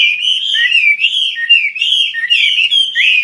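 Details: Chinese hwamei (wambi mandarin) singing actively in a continuous, loud, rich warble of wavering whistled notes without pauses.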